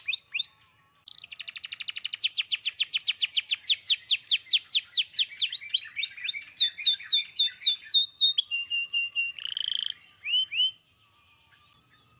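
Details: Energetic canary song: a short note, a pause, then long rapid trills of sweeping whistles about four per second, shifting into higher sharp notes and a brief buzzy phrase before stopping.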